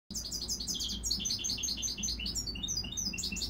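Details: Goldfinch x dimorphic canary hybrid mule singing a fast, dense stream of high chirps and twittering notes, bright trills packed together throughout.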